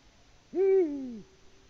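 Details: Eurasian eagle-owl, a male in Latvia calling for a female that never answers, 6 March 2019, 18:06: a single low hoot with a sharp start, level middle and falling tail, lasting about 0.7 seconds amid quiet.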